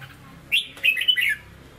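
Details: A captive red-whiskered bulbul with a Hue-style song sings a short burst of bright, warbled whistles: one quick note, then a rolling phrase of liquid, rising-and-falling notes over a quiet background.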